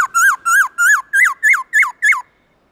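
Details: Black-throated laughingthrush in the morning giving forest-style song: eight loud whistled notes in a steady series, each rising then dropping, repeated about every quarter second, in a quiet setting.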